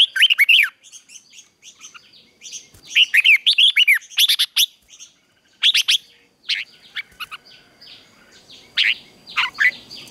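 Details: Red-whiskered bulbul singing its fighting song in the morning, recorded for training: rhythmic bursts of rich, rising-and-falling whistled notes, several phrases in quick succession with brief pauses and soft high chirps.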